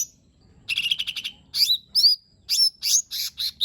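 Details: Lesser green leafbird, the cucak ijo mini, with lure song for an unwilling singer: a fast rattling trill of repeated notes, then loud swooping whistles and buzzy chirps in quick succession.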